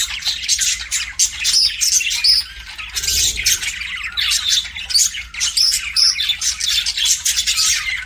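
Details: Budgerigars kept as pets chatter steadily in high, scratchy chirps, with brief clear whistles near the start and again toward the end, and a faint low murmur around the middle.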